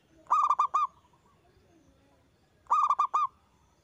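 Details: Zebra dove of a local strain singing loudly as a lure to get other doves to reply. Two phrases about two and a half seconds apart, each a rapid run of five rolling, slightly nasal coos.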